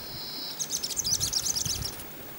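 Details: A Black-throated Flowerpiercer, an Andean species, in Peru gives a thin, steady high note, then a fast jumble of very high twittering notes for about a second and a half, over a low rumble.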